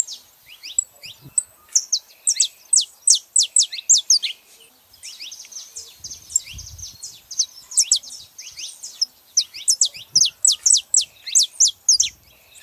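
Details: Male and female saffron finches calling: repeated runs of loud, high downslurred chips in quick succession, a quieter patch in the middle with softer notes and a low thump, then another energetic burst.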